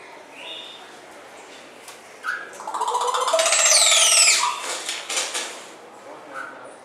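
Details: Male crested oropendola displaying when a female is near, at Blijdorp zoo in Rotterdam, Holland: a loud rising burst of gurgling, liquid notes with a sweeping high whistle overhead, swelling then fading, amid short tonal notes from other birds.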